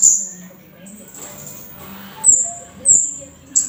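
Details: Bar-winged prinia in lively song, giving thin high whistled phrases separated by short pauses, ending in three sharp slurred notes in quick succession.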